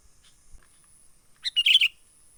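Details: Wild sooty-headed bulbul lure call for trapping: one short, bright warbled phrase of a few quick notes after near silence.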